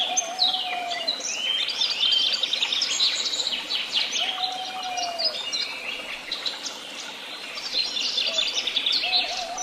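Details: Bird chorus in Tehidy Woobs with rapid high twittering and chirps, while a lower, drawn-out whistled note sounds three times, about every four seconds, beneath the busy song.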